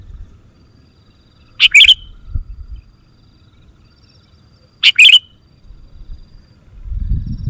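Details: Lure sound of a sooty-headed bulbul for wild birds: two punchy chirp bursts with a downward flick, about three seconds apart, in a quiet background broken by brief low thumps.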